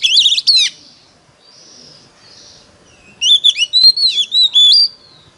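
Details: Decoy Oriental magpie-robin singing competitively to lure wild birds: a short dense chattering burst, a long near-silent gap with faint soft notes, then a run of sweet slurred whistles and trills.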